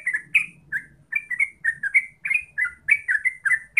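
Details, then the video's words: Yellow-vented bulbul (terucuk), gacor ropel style singing: bubbly, gurgling notes that rise and fall, delivered in quick bursts about four per second, with a faint low hum underneath. "Pancingan Trucuk Biar Gacor Ropel"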